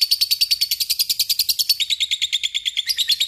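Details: Fighter lovebird singing a long ngekek trill, a rapid unbroken string of shrill high chirps, about three per second-third, dipping slightly in pitch midway and continuing steadily.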